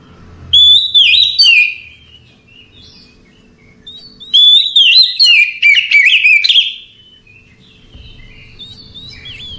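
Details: Oriental magpie-robin at night, delivering two rich phrases of clear rising and falling whistles mixed with rapid chattering notes, with pauses between them and a soft low rumble underneath.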